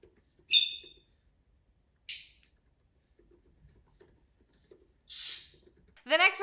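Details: A pet conure gives a few sharp, high chirps and a harsh squawk, spaced a second or more apart. Such chirping signals happiness and contentment, excitement at seeing its owner or flock, or frustration when they leave. A person's voice breaks in at the end.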